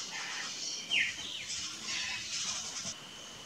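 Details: A pair of saffron finches, free in the wild in Brazil, sing bright, high chirps and short down-slurred notes, loosely strung together and overlapping, as if two birds are calling.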